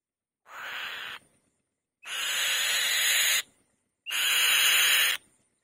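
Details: Female white-tailed kite on the nest gives three loud, harsh, hissing screeches, each about a second long, roughly every two seconds, with silence between.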